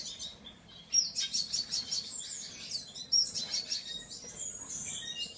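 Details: Painted bunting song: high, rapid warbled phrases of sweet twittering notes, two bursts about two seconds apart with a sharp thin note opening each, over faint background hiss.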